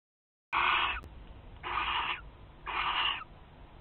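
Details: Barn owl at a nest box in Théding, recorded 29 March 2023 in spring: three harsh, breathy hissing screeches, each about half a second long, separated by pauses of roughly half a second, with a faint sharp click between the first two.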